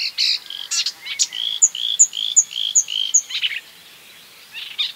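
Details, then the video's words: Marsh warbler (Acrocephalus palustris) imitating other birds: varied high phrases, buzzy notes, then a row of five short sharp whistled notes evenly spaced, ending in scratchy chatter. "A marsh warbler (Acrocephalus palustris) imitating other birds"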